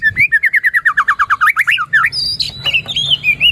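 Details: White-rumped shama song used as a lure to get a reluctant bird singing: a rapid run of about fifteen identical rising whistled notes, followed by high clear whistles and slurred phrases, faint low hum behind.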